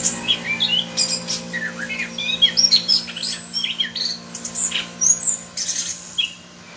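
Chestnut-capped thrush singing a fast, varied run of sharp whistles, chirps and trills without pause. A low steady hum runs underneath.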